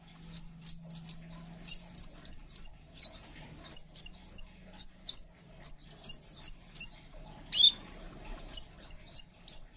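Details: Crimson sunbird in full song, used as a tutor recording for caged songbirds, giving thin, high, sharp chirps about three per second in a quick, slightly uneven run, with a faint low hum underneath.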